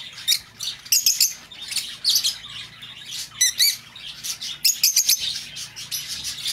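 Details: Lovebird voice for luring a lost bird back: quick, piercing chirps and twittering squeaks repeated in rhythmic bursts, roughly every half second.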